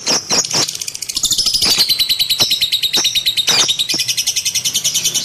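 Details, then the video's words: Lovebird pouring out fast, high-pitched chirping trills, punctuated by occasional loud clicks and short scratchy notes. "KiCAU BURUNG LOVEBIRD"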